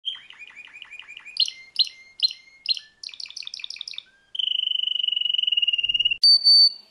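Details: Champion canary, a world-contest winner, singing a varied song: rapid repeated chirp tours, bright buzzy syllable groups, then a long even rolling trill and a short sharp high note at the end.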